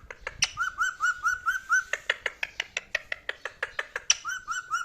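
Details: Pet male parrot chattering in a fast run of clicky, pulsed notes mixed with short repeated whistles, about one to two per second, steady and busy throughout.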